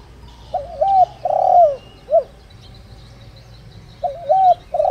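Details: Calling decoy spotted dove of the "đồng rặc" voice type, used to draw wild doves: one complete phrase of hooting notes, a long descending coo and a short final hoot, then after a two-second pause a second phrase begins.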